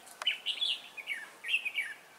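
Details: Red-whiskered bulbul decoy calling wild birds toward a trap: two rapid liquid phrases of rising and falling whistled notes, loud and clear over faint hiss.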